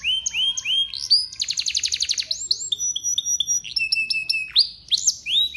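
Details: Nonstop canary song used to make other canaries sing along, mixing rising whistles, a dense rattling trill, long flat tones and quick chirps, all high-pitched.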